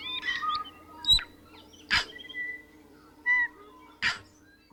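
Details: Tui song from a Department of Conservation recording: a varied string of pure whistled notes at mid pitch, some sliding, broken by sharp crackling clicks and rasping bursts roughly every second, over a low steady hum.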